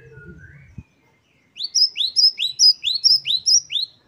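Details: Great tit 'wucit' song variation: after a soft slurred note, a steady run of about eight ringing, rising whistles, evenly spaced, bright and loud against a quiet background.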